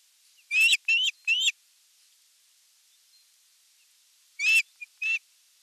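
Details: Osprey at its nest during evening feeding on 30 June 2022, nest camera: three loud, whistled, slightly rising chirps in quick succession, a pause of about three seconds, then another clear chirp followed by a short softer pair.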